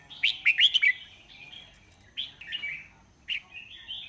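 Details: A large red-whiskered bulbul gives a quick burst of bright chirped notes, then softer, scattered warbling phrases, over a steady thin high whine.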